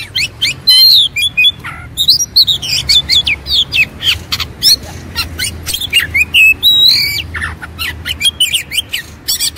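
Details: Fired-up white-rumped shama in fighting mode, tail spread, pouring out loud rapid chips, clicks and bright looping whistles, with a clear rising whistle midway and continuous dense phrases throughout.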